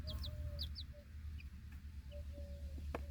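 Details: Mother hen with four chicks outside at feeding time, alert and protecting her young in a backyard flock; level, sustained low clucking tones alternate with clusters of sharp high chick peeps over low-frequency rumble.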